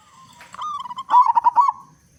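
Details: Local zebra dove with a strong voice, played to draw song from other zebra doves. One phrase opens with a soft drawn coo, then a quick run of pulsing, bubbling notes that fades away.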